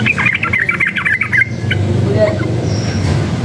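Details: Sooty-headed bulbul agitated by noise, delivering a rapid, dense burst of chattering, bubbly notes for about one and a half seconds before falling quiet, with motor rumble and speech in the background.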